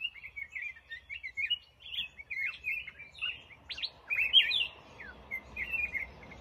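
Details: Black-crested bulbul chattering in a fast series of short, buzzy, warbled notes with a few sharp upward-swept whistles. A faint hiss rises in the background toward the end.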